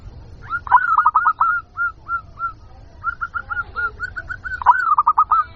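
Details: Local zebra dove (perkutut) lure call for attracting wild birds: two bursts of quick, stuttering coo notes with a short pause between them. Some notes are trilled and rolling, and the bursts fade unevenly.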